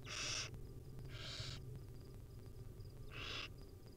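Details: Hungry wild barn owl nestlings, fed small morsels by their mother, give rasping hissed screeches, three bursts of about half a second each, over a constant low rumble and a faint repeated high tick.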